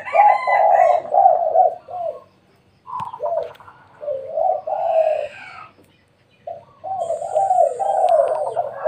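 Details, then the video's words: Spotted dove cooing at midday at home: phrases of low, rolling coos broken by silent gaps, with a brief higher chirp and a faint high whine near the end. "suara tekukur di siang hari"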